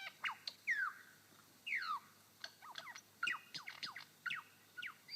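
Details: A male superb lyrebird singing on his dancing mound in Sherbrooke Forest Park, Victoria, copies a yellow-tailed black cockatoo: drawn-out, wailing notes sliding downward, woven among quick sharp chirps and clicks.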